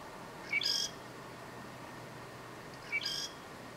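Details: October 2018 in north Lanzarote: a southern grey shrike delivers two loud phrases roughly two and a half seconds apart, a sharp upward whistle running into a strident, buzzy high note.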